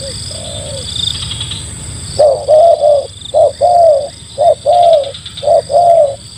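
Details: Spotted dove used to lure wild doves, first a soft distant coo under chirping birds, then a close, loud run of mellow, low coos, short and longer notes in an uneven beat, over a constant thin high whine.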